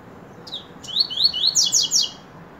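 Double-collared Seedeater singing a quick, high phrase: a few slurred rising notes speeding into bright, buzzy downslurs, over a faint low hiss.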